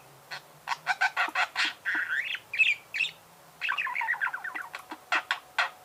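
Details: Budgerigar singing: a run of short chattering notes and buzzy clicks, then rising and falling warbled phrases in a fast, scratchy, uneven chatter with brief pauses.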